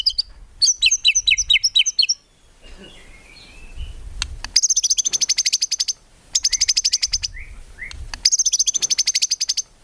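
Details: White-rumped shama in steady full song of 'tembakan' bursts, free of 'ngukluk' notes, recorded to train songbirds. Short bursts of rapid, high chattering notes, separated by pauses holding a few softer lower whistles.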